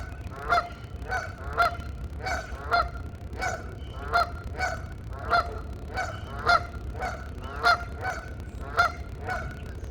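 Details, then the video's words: Geese calling to each other in what is described as a mating call, a conversation of loud nasal honks repeated roughly every half second to second in a steady series over a low background rumble. "GEESE MATING CALL HONK TALKING WITH EACHOTHER"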